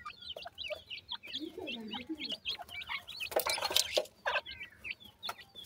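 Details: Several young francolins feed and play, giving rapid high cheeping notes, each a quick rising-falling chirp, repeated densely, with a burst of broad scratchy noise midway and lower murmuring notes early on.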